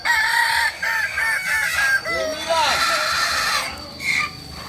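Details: Kokok Balenggek roosters crowing during a joint practice at Amko in Solok city. Strong, harmonic-rich crows follow one another with short breaks, some notes arching up and down. Voices can be heard faintly underneath.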